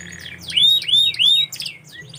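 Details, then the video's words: Canary song fragment: three clear arching whistled notes in quick succession, then a soft rising chirp, over a low steady hum. "KICAU BURUNG KENARI"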